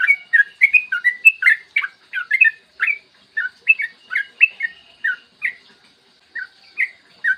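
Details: Clear morning yellow-vented bulbul song used to spur other bulbuls to sing: fast run of jumbled bubbly chirps that slows into spaced single notes, with a quiet gap before the last few.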